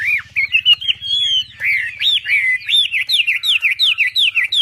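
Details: Javan pied starling singing 'tembakan' style. Looping whistles and one long level tone give way to a fast string of upward-hooked whistled notes, several per second.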